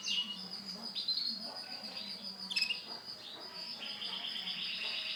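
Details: Male canary with silver plumage giving a sustained, high-pitched warbling song: fast rolled trills and brief sharp chirps, including an abrupt accented note midway, flowing continuously over a soft background hiss.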